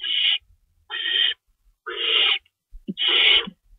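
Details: Nest feeding time for owls at 3:53 AM, March 25, 2012, two rabbits in store, one adult shredding prey; four drawn-out breathy hisses, the later ones longer and rougher, with a short low squeak before the last.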